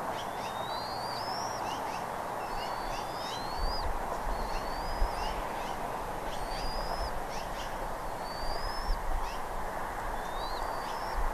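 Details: Recorded at Redding, 17 April 2021, 08:15: a bald eagle repeats shrill upward-slurred whistles about once a second, with faint short chips mixed in and a continuous background hiss.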